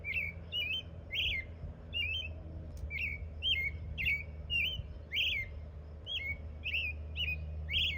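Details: American robin at a campground in Palisade State Park, Utah, around Memorial Day, chirping all day long; short, bright chirps in quick succession, roughly two per second, over a steady low rumble.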